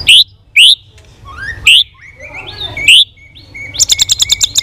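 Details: Competitive song of a White-rumped shama flicking its tail while being trained, with loud rising whistles at intervals, warbled phrases between them, and a closing burst of rapid, evenly spaced bright clicking notes.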